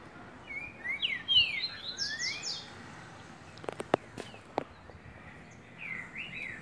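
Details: Green-winged saltator song of rapid, bright whistled phrases with falling slurs, followed by sharp clicks and knocks, then a short further whistled phrase at the end.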